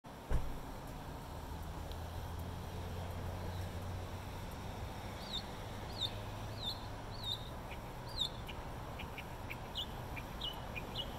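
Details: Northern mockingbird singing from a light fixture in Bluffton, South Carolina: after five quiet seconds, short high chirped and slurred phrases, each repeated a few times in quick series, over a steady low hum.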